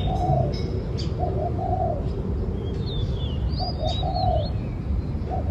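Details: Low hollow cooing of a spotted dove in repeated three-part phrases, with short notes then a drawn-out coo. Other small birds chirp and whistle high above, over a constant low rumble.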